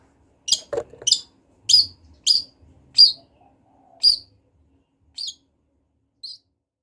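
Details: Wild long-tailed shrike calling actively: eight short sharp high chips, closely spaced at first then slowing and fading, with a brief low thump and soft rustling at the start.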